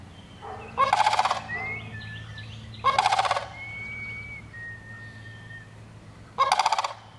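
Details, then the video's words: A sandhill crane calls in three harsh, pulsing, trumpet-like rattles spaced about two to three seconds apart. Thin whistled notes from another bird sound in the pauses, over a low constant hum. "sandhill crane gawking"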